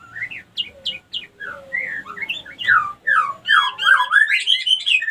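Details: Lure call of a female white-rumped shama, played to bring other females into breeding condition; sliding whistled notes, sharp downslurred chips, building to a dense warbling jumble at the end.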